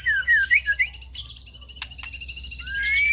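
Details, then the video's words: White-rumped shama lure song, with quick downslurred whistles, then a buzzy high trill, sharp clicks and a final rising whistle, over a low hum. "pancingan murai batu"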